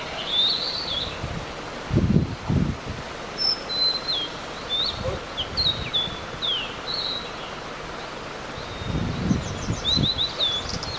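Blue-and-white flycatcher giving short, high, thin chirps and brief whistled slurs at irregular intervals, with low rumbling thumps of wind or handling noise.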